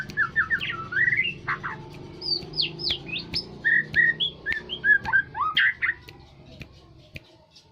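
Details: White-rumped shama of the Aceh type, used as a decoy to stir up other birds, delivering a lively burst of loud whistled slurs and chips roughly four per second, fading into quieter notes near the end.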